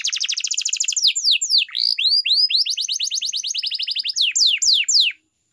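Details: Canary song used for training, opening with a fast even rattle, breaking into wide swooping slurred whistles, then another rapid trill and a few long descending sweeps.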